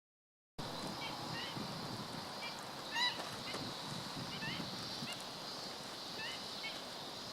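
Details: Black-winged stilt recorded on 17 August 2013: a few short nasal yelping notes around the third second and scattered fainter ones, set against a steady broad hiss.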